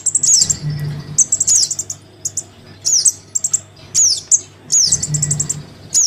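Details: Crimson sunbird nestling begging its parent, played to lure sunbirds down: shrill descending squeaks, each followed by short clusters of quick high ticks, recurring roughly every second over a soft low drone.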